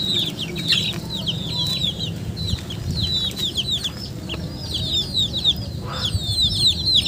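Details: Chickens peeping in a busy chorus, short descending high chirps tumbling over one another throughout, over a steady low background rumble.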